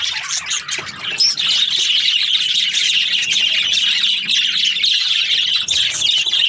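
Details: Budgerigars, breeding pairs kept in an aviary, chattering together in a dense, continuous stream of high chirps and squawky twitters with no pauses, many birds calling at once.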